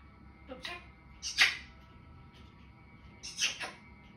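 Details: Four-year-old pet Grey parrot, kept indoors, doing talking and imitations: a few short, high, harsh squawky syllables at about one-second gaps, the loudest in the middle, then a pause and a final double burst; otherwise quiet.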